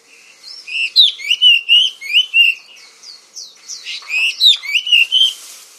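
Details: Melodious singing of an oriental magpie-robin, known in Indonesia as kacer: fast series of loud, clear whistled notes sliding up and down, about eight strong syllables, a brief lull, then another lively burst.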